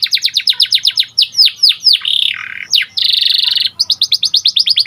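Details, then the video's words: White panda canary, a domestic songbird, singing: rapid strings of descending chips, a buzzy warbled phrase, a sharp whistle and a dense buzzing roll, then more quick repeated notes. "Kicauan Burung Kenari Panda Gacor Di Satu Titik"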